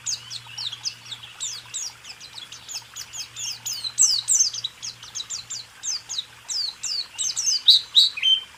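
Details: White-eye song from a recording meant to train caged songbirds: a fast, continuous string of high, thin down-slurred chirps, varied and unbroken, with a faint low hum underneath.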